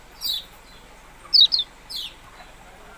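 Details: Yellow-bellied prinia uttering a few high, downward-sweeping chips, including a quick loud double note, with pauses between.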